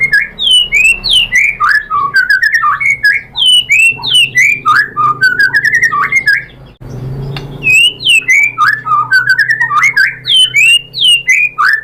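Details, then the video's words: White-rumped shama, called murai batu, singing a lure song meant to spur rival shamas to reply: rich, fast, varied phrases of rising and falling whistles, slurred notes and sharp high flourishes, briefly broken by a cut. "MURAI BATU ikutan NYAUT GACOR BONGKAR MATERI ¦ PANCINGAN MURAI ¦ SHAMA BIRD"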